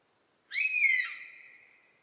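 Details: Lone buzzard call: a strong, harmonic mewing whistle that starts high, slides steadily lower and trails off slowly over about a second, with silence around it.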